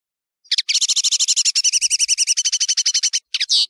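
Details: European serin song, locally nino in Algeria and kamatcho in Morocco, recorded as a tutoring tape for birds: a fast, even string of high tinkling notes, about four per second, for nearly three seconds, ending in a buzzy flourish.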